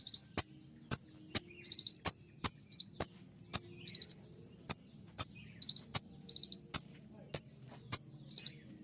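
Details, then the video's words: Sunbird called kolibri ninja in nonstop 'tembakan' shooting song: sharp high ticks roughly every half second, alternating with short clusters of three or four piercing twittered notes, steady and tight. "masteran kolibri ninja dengan full suara tembakan"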